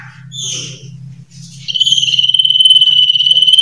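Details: Common iora giving varied song: a few high scratchy notes, then a long, even, rapidly pulsed high trill held steady for about two seconds, with a low hum underneath.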